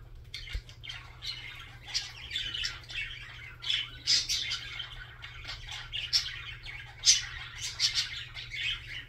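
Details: Singing budgerigar delivering a busy, unbroken chatter of scratchy twitters and sharp clicks, with brighter accented chirps scattered throughout, over faint low hum.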